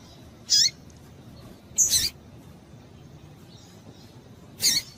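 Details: Female rusty-collared seedeater giving her call to excite males: three sharp high rasping chirps, about one every two seconds, some with a falling tail, over soft background hiss.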